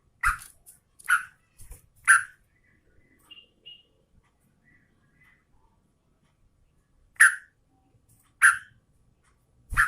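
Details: Sooty-headed bulbul female calling to a male, in breeding condition. Clusters of rough, emphatic chirps open the recording, then a long hush, then three more strong chirps spaced about a second apart.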